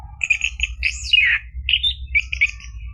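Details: Orange-headed thrush singing, recording meant to coax a caged bird to sing: a few short whistled notes, then a looping slurred phrase and more clipped repeated whistles, low hum beneath.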